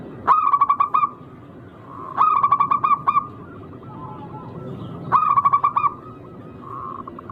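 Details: Local wild zebra dove with a rare rhythmic song meant to draw rivals into calling. Three rolling phrases of quick pulsed coos, each about a second long and spaced two to three seconds apart, with softer cooing between and faint distant chirps.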